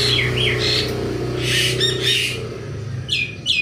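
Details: Asian pied starling in morning activity making harsh, squawking notes and a grating burst, followed by two short, rising whistles, over a noticeable low hum.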